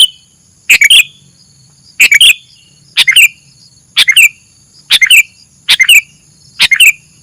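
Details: Sooty-headed bulbul recording used as a lure for catching birds: short bright chirpy phrases of two or three notes ending in a falling whistle, repeated roughly once a second, over a steady thin high background hiss.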